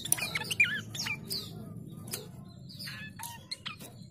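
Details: Chestnut-capped babbler call played as a lure to draw in rivals; a few wavy, twisting whistles early on, then scattered sharp ticks and short chattering notes over a steady low rumble.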